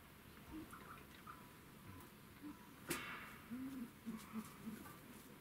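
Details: Silver pheasant at Morioka Zoological Park, Iwate, Japan, on 12 April 2019, giving soft, low, short clucking notes, loosely spaced then quickly repeated near the end, with a sharp click and faint background noise.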